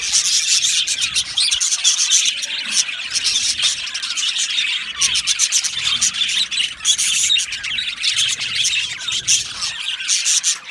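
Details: Colony of budgerigars in an aviary twittering and chirping in a dense, overlapping chorus, with squawky notes and rapid chattering that swells and dips slightly.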